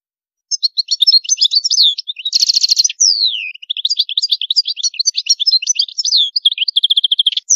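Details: Full European goldfinch song in an elaborate high style: a continuous, rapid tumble of tinkling twitters and a buzzy trill. Sweeping whistled slurs run through it, and a fast metallic rattle closes the phrase. Seven unbroken seconds, with no other sounds.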